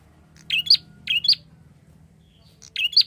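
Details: Prinia calling vigorously, meant to lure other birds: crisp high chirp pairs repeated roughly every half second, a short gap, then another pair, with a low steady hum in the background.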